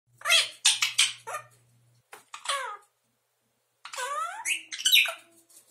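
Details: Eleven-month-old Indian ringneck parakeet that has just started talking, saying a Russian word for "birdie": scratchy short bursts, then a clearer drawn-out phrase with falling and rising tones, against a faint low hum.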